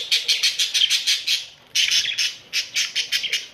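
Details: Australian budgerigars in a pet colony: loud, harsh squawks in rapid series of about eight per second, pausing briefly, then resuming in two more quick runs.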